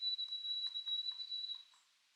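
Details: A White-throated Sparrow, an early returning migrant at Sunset Cove, Canada, gives a long, pure, steady whistle held for well over a second at one high pitch, with faint soft ticks behind it.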